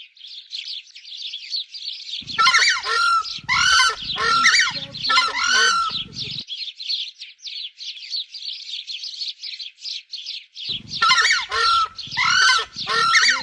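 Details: Screamer giving loud, harsh honking calls in bursts, several in quick succession, then a pause and another burst; a steady high chatter of smaller birds runs underneath throughout.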